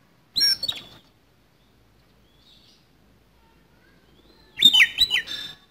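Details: Oriental magpie-robin in a harsh fighting song: one short raspy burst, a long near-silent gap, then a longer rough phrase of scratchy whistles and clicks.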